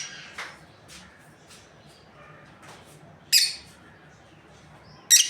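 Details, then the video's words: Breeding pair of lovebirds: a few faint chirps followed by two loud, piercing, harsh squawks spaced about two seconds apart, otherwise quiet. "Amazing Lovebirds Chirping Sounds | breeding pair"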